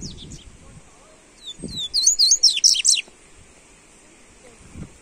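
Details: Double-collared seedeater being warmed up to sing gives a quick, high, twittering burst of song, a rapid jumble of sharp chirps lasting about a second, after a few thin introductory notes.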